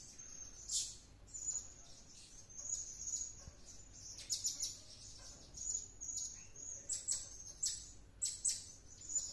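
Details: Blue-crowned hanging parrot singing tirelessly, acting possessed after returning from luring; a steady stream of shrill high chirps and thin squeaky whistles, rising into quicker clustered squeaks near the end.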